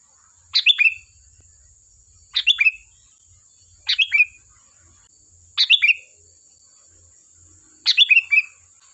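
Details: Sooty-headed bulbul, lively and vocal, singing to make other birds reply: five short sharp chirp bursts repeated every one and a half to two seconds, each quickly falling, over a thin steady high tone.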